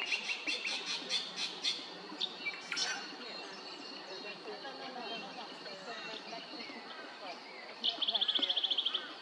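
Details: Spangled drongo at Maryborough, Queensland, giving harsh, metallic chattering notes in a quick series that end in a fast rattling burst, with steady background noise and faint murmuring throughout.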